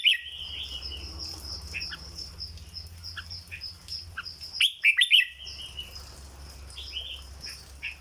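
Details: Red-whiskered bulbul kept in a cage, singing its legendary 'dok' song: faint chirps and warbles build to one loud, fast phrase of bubbling whistled notes midway, followed by softer whistles over a low hum.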